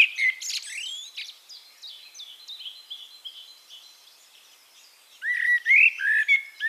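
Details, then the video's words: Eurasian blackbird singing in Castricum, the Netherlands. An opening squeaky flourish gives way to quieter repeated high notes from another bird, then a loud, mellow fluted phrase of rolling warbles returns near the end. "One Hour Relaxing Birdsong: Blackbird"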